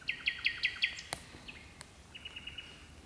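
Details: Common nightingale hidden deep in birch bushes in the gloaming, one of two singers: a loud burst of five rapid ringing notes, a sharp click, then a softer quick series of thin repeated piping notes.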